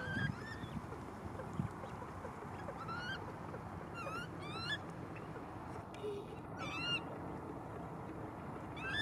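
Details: Newly hatched coot chick in Malibu uttering frequent thin, rising whistles, some in quick pairs, scattered through the recording above a dense, noisy low background.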